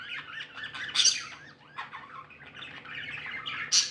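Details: Happy pet budgerigars chattering: steady wavering warble of chirps with two sharp, harsh squawk bursts, one near the start and one at the end.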